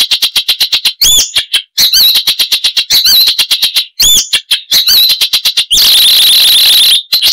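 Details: Icterine warbler (Hippolais icterina) singing its loud, chattering, richly varied song with mimicry: rapid harsh clicking notes broken by slurred, wavering whistles, closing with a dense buzzy rasping burst.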